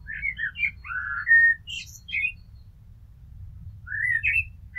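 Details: Blackbird song: a series of mellow, descending whistled notes building to a long clear fluted tone, then high twittering, a pause, and another rising whistled phrase; low rumble behind.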